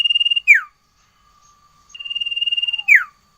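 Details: Sirtu in full song: two long, steady, trilled whistles, each ending abruptly in a sharp downward swoop, separated by a short quiet gap.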